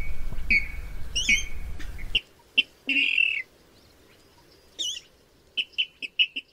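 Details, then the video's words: Rail calls used to lure birds into nets at night: wavering squeals over rumbling noise, then a harsh buzzy squeal, a wavering whistle and a closing burst of short, sharp, repeated notes. "tiếng gà nước đánh lưới đêm"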